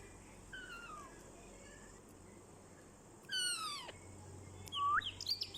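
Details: A pet rose-ringed parakeet talks in bright, nasal, voice-like phrases: falling drawn-out notes, one loud harsh phrase, then a quick rising whistle, over faint room hum.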